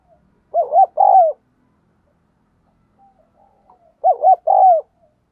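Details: Decoy spotted dove cooing eagerly to provoke wild doves: two matching phrases about three and a half seconds apart, each a pair of quick looping coos followed by a longer, slightly falling coo, in silence otherwise.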